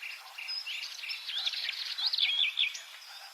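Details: Subalpine warbler song: a brief, bright, twittering phrase of quick up-and-down whistled notes mixed with scratchy chatter, growing louder toward the end.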